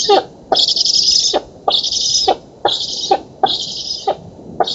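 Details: Nestling black storks begging while fed in an oak nest in Poland on 11 August 2017. Rasping, breathy hisses come in a rapid series of five, separated by short gaps, with clicky edges.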